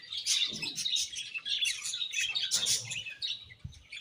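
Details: Several budgies chatter constantly, a thick mix of quick high chirps, trills and warbles with short scratchy notes layered over one another and no pauses.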